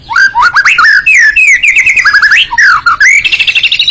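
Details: White-rumped shama, a territorial songbird prized for its melodious singing, pouring out a loud continuous song of rapid looping whistles, slurred rising and falling phrases and chattering notes with hardly a break.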